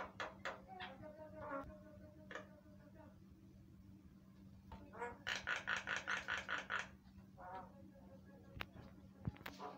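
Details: Javan myna in lively song, a lure meant to draw replies from other mynas: scattered harsh notes, then a run of about nine loud rasping bursts in quick, even succession, followed by a softer buzzy note and sharp clicks over a steady low hum.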